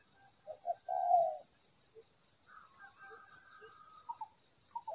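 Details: Spotted dove used in trapping. One phrase of two brief notes and a long low rolling coo is followed by scattered softer notes and a faint higher chirp, over a steady electronic hum.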